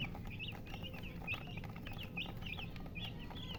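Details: Baby chickens chirping: a string of high, sharp peeps with quick downward bends, several chicks calling in rapid succession over a low background rumble.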